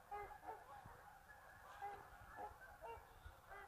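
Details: A flock of geese departing the marsh to feed in the afternoon after a midday siesta; short nasal honks come in irregular bursts about every half second over a steady chatter and low background rumble.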